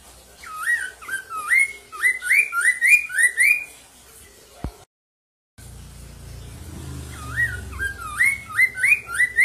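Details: Black-throated laughingthrush, loud song used to train caged birds to sing: clear whistled notes that swoop upward, repeated in quick series, broken by a brief silent cut midway, then resuming with a low rumble beneath.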